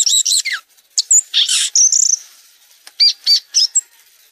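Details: Violaceous euphonia song of varied high chips, a brief buzzy rasp, and a thin whistled slur, separated by short pauses, ending with a few quick arched notes.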